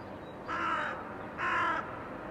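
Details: Two rasping crow caws in a blue sky, recorded in 2022, evenly spaced with a short gap between them over a low hiss.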